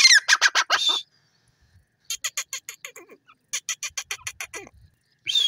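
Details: Teetar, a francolin, gives fast runs of sharp, scratchy notes, four to eight in quick succession per burst, separated by brief silences.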